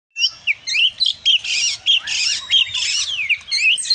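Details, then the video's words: Oriental magpie-robin described as a prolific singer, delivering a loud, continuous run of varied whistles, sweeping slurs and sharp chirps, with phrases tumbling into one another almost without pause. "suara burung kacer si gacor ini"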